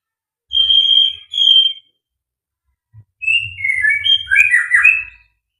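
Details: Fighter-type white-rumped shama song: two steady level whistles, a pause, then a quick tumbling jumble of warbled, slurred notes rising and falling, with soft low knocks underneath.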